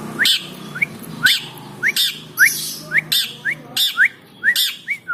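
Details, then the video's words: Caged long-tailed shrike (cendet, pentet), aggressive while being teased: harsh rasping bursts about once a second, each paired with a short rising whistled note, over a low background hum. "Cendet Galak tapi Gacor | talk to cendet birds for good singing"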